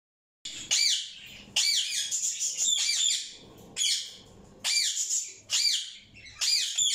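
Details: A pet Fischer's lovebird out of its cage in a small indoor room gives harsh, high-pitched squawks and shrill chirps in loud bursts about a second apart.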